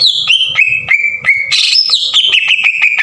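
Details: Green leafbird giving harsh, loud bursts meant to provoke other leafbirds. Clicked whistles fall slightly in pitch, a short raspy buzz follows, then rapid ticking whistles continue.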